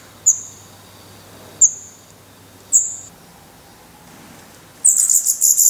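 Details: Black redstart nestlings in a nest in Portugal, 16 May 2020, eyes already open, being fed worms, spiders and a grasshopper; three short, thin, very high whistled notes about a second apart, then a sudden dense high-pitched begging burst at the end.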